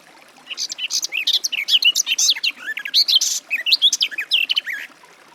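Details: Garden warbler (Sylvia borin) singing a fast, unbroken warble: mellow, looping phrases that rise and fall, sustained for about five seconds without a pause.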